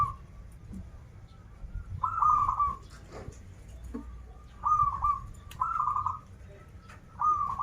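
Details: Local zebra dove (perkutut) singing in krital and warung kebek styles: soft mid-pitched coos, each a short opening note then a rolling trilled phrase, repeated every second or two over low rumbling background noise.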